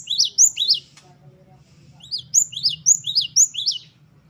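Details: Great tit singing a wucit2 variation, high double notes rising then dropping, repeated in a quick chain after a brief pause, over a steady low droning hum.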